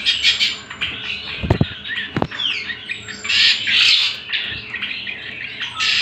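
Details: Leafbird master song for training birds, the greater green leafbird giving chattering squeaks and sweeping whistles in waves, interrupted by two sharp knocking clicks early on, with a low hum throughout.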